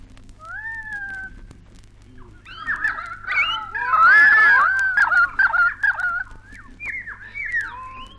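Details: Bellbirds in Australia, from a 1968 vinyl wildlife recording: clear, sliding whistled notes swelling into a busy run of overlapping ringing calls, then easing back to single whistles over a low hum.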